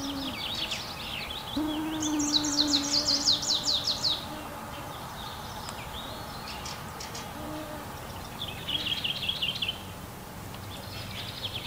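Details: Fieldfare fledgling, already grown and flying well, perched on a twig and waiting for its parents to come and feed it. Rapid bursts of high, scratchy chattering notes come in two runs over a steady low hum.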